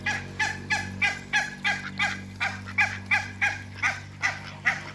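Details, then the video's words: African geese, two pairs, encountering Muscovy ducks: evenly spaced, trumpeting honks, nearly three per second. Each honk is short and harsh, and a low hum runs underneath. "MEETING TWO COUPLES AFRICAN GEESE & MUSCOVY DUCKS"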